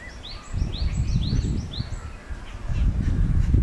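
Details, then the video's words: Lesser whistling ducks (Dendrocygna javanica), recorded May 25, 2016, give a quick run of thin, high, arched whistles for about two seconds over heavy low wind rumble. "Lesser whistling duck"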